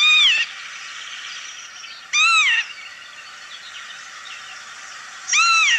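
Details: Three wheezy, slurred 'pee-wit' calls from a Northern Lapwing in a meadow, each rising then dropping, spaced two to three seconds apart over a steady faint hiss.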